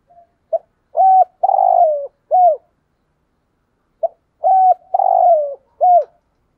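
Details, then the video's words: Decoy spotted dove in 'thúc gù' style, delivering two matching four-part coo phrases about three seconds apart. Each has a short tap, a flat hoot, a long wavering downslurred coo and an arched final hoot. "chim cu mồi thúc gù bài bản nhất hiện nay"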